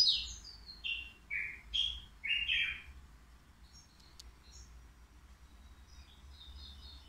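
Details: Caged three-year-old European goldfinch at the Qriaa bird market, its song offered as faultless: bright twittering and buzzy notes at two to five thousand cycles, dropping in steps through quick phrases, then fading to scattered high chips.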